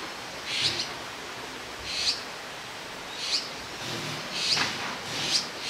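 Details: Azure-winged magpie fledglings, grown too big for their cramped nest, perched side by side on a branch in Jirisan National Park, waiting for a parent to bring food; five short, high, hissy begging calls spaced about a second apart over steady background hiss.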